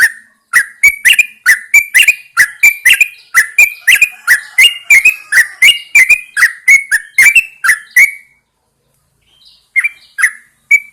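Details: Caged Yellow-vented Bulbul hung outdoors in the early morning to encourage singing: a lively run of short, bubbly whistled notes, about three per second, a brief pause, then a few more notes.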